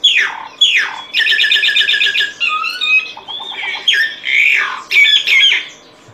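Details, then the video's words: Solitary cacique singing: a varied run of falling whistled slurs, then a fast stuttering rattle, liquid warbles and sharp rising and falling notes, delivered in quick phrases with short pauses between them. "Canto Del Boyero Negro Pico Blanco."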